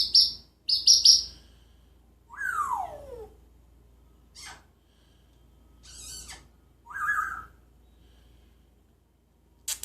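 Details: Talking, singing pet parrot kept in Jeddah, known to imitate sounds: bursts of high chatter, a long descending whistle, then short whistled phrases and clicks spaced across the recording.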